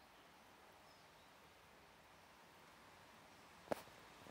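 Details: Great spotted woodpecker in a garden at Burton Joyce on 16 May 2024 gives one sharp, abrupt 'tchik' near the end, over a steady hush of outdoor background noise.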